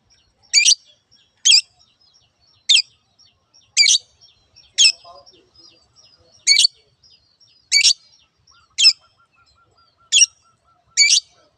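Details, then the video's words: Cendet, or long-tailed shrike, calling "teot teot": sharp raspy high notes, single or paired, spaced roughly one per second, with a faint low murmur midway and a thin steady tone toward the end. "Cendet teot teot"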